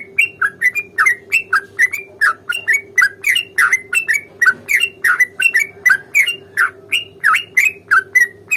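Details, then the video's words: Lively sooty-headed bulbul fighting song with long trills, used as a lure to draw a reply: a continuous rapid chatter of around twenty-five bright, bouncy, slurred notes, with a low steady hum beneath. "trucukan gacor tarung ROPEL PANJANG pancingan trucukan agar bunyi"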